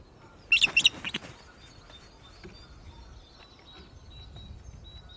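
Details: Osprey (Pandion haliaetus) at Loch of the Lowes, Scotland, alarm calling at an intruder near the nest: a rapid burst of about five sharp, high whistled chirps in under a second, then silence over faint background noise.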